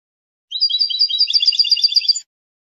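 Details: European goldfinch holding territory and attracting females with song: one unbroken, nearly two-second burst of rapid liquid twittering notes rolling at a steady fast pace; no background sounds.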